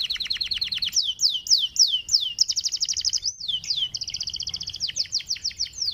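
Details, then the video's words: Panda canary, a kept bird, in a sweet song played to coax canaries into singing: a fast pulsing trill, loud repeated downward-slurred whistles, a buzzing double trill, then quick high notes. "KENARI PANDA LAGU SYAHDU UNTUK PANCING KENARI"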